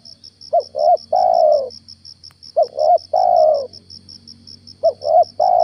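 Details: Spotted dove kept as a lure, cooing at morning: three phrases roughly two seconds apart, each two short bouncy notes leading into a sustained warbling coo. A shrill insect pulses steadily, with a low hum beneath.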